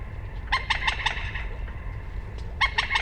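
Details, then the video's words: Two quick stuttering rattles from a common moorhen, each a fast run of four harsh notes, over a constant low background hum. "Moorhen Bird Sound | Beautiful Calls & Sounds of the Common Moorhen"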